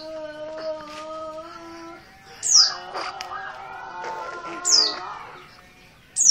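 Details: Oriental white-eye, dakun Merapi type and untrained, calling insistently: a few sharp high falling notes spaced about two seconds apart, over a long low harmonic drone and a buzzy background.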